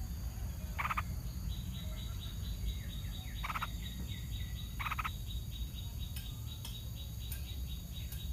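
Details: A parent Yellow-vented Bulbul protecting its young from a snake attack gives harsh, rasping scolds every second or two between quick runs of sharp, dropping chip notes, over a steady low rumble.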